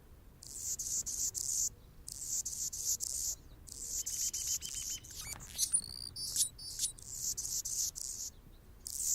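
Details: On a branch in Golden Gate Park, San Francisco, California, an Anna's hummingbird sings long runs of pulsed, buzzy, very high phrases separated by brief gaps, with a few squeaky, sliding whistled notes in the middle.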